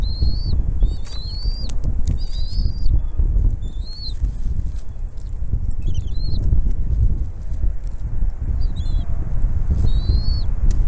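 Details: At a bald eagle nest where the mother delivers food to her young, paired high whistled notes come at the start and again near the end, with scattered squeaky fragments between, partly masked by strong wind noise.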